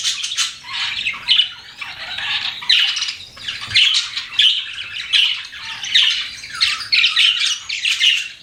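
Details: Pet budgerigars chirping in rhythmic bursts, raspy squeaky chatter rising and falling about once a second in a steady run.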